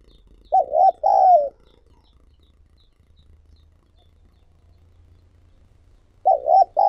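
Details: Spotted dove used as a decoy to call in wild doves: a paired, wavering coo phrase, then about five seconds of silence before the same low double coo starts again.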